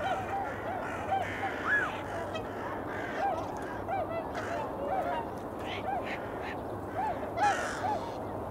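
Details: Eurasian coots in early February, around 8 a.m., give short, nasal, honking notes, several overlapping every second or so, over a steady low hum and faint background chatter.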